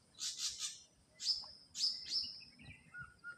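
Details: Ashy drongo singing in the wild, three quick buzzy bursts followed by sharp rising whistled notes and a few lower soft whistles at the end.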